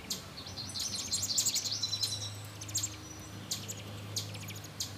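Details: Nestling American robins begging while being fed in a nest set in a satellite dish next to a porch; dense rapid high chirping early, then scattered sharp peeps, over a steady low hum.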